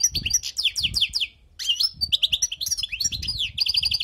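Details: Wild goldfinch song recorded for teaching: dense cascades of high tinkling downslurred notes, a short silence, then a lively twitter with buzzy trills and fast repeated chirps.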